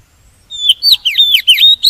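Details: Magpie-robin decoy song meant to attract wild birds and stimulate singing, delivered as a quick string of loud swooping whistles, each dipping and rising, ending abruptly.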